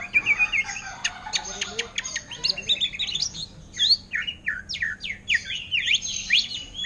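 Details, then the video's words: Caged greater green leafbird in orange-headed thrush style gives loud rapid chattering, sharp clicks and looping high whistled notes, continuous and energetic throughout. "Cucak Ijo Ngentrok Gaya Anis Merah"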